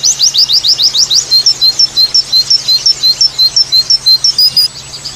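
A white-eye gives a high, rapid song. It opens with a fast run of sweeping notes, then a steady string of sharp chirps, about three per second, over a low electrical hum.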